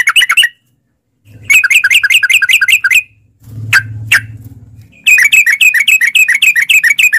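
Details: Sooty-headed bulbul lure song meant to make caged bulbuls sing, in long rapid bursts of bubbly chirped notes, three fast phrases separated by gaps, with a pause of low hum and two sharp clicks between.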